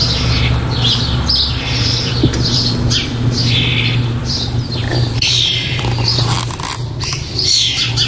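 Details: Nestling starlings in a nest box, close to leaving it, recorded 4 May 2014; rasping, wheezy begging calls come in repeated bursts with brief pauses, over a constant low electrical hum.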